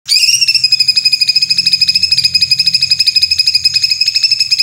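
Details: White-rumped shama in a harsh 'tembakan kasar' (rough shots) song style with full fill-ins, used as tutor audio for training contest birds: a fast, rasping, machine-gun rattle of identical buzzy notes, about ten per second, held steadily without a break.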